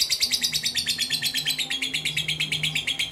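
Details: Rapid, shrill chattering from a caged mentil lovebird used in singing contests, a tight rhythm of sharp chirps around ten per second, steady in loudness, over a quiet low hum.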